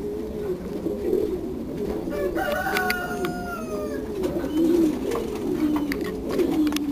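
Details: Frillback fancy pigeons, blue birds, giving low rolling coos back and forth, overlapping from several birds, with a brief higher squeaky note midway and some clicks and rustles.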